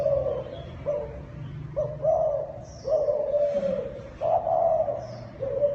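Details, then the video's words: Thai dove calling kích bổi: a rapid run of short mid-pitched coos leading into longer rolling notes, with soft high chirps of other birds now and then. "Tiếng Chim Cu Thái Kích Bổi"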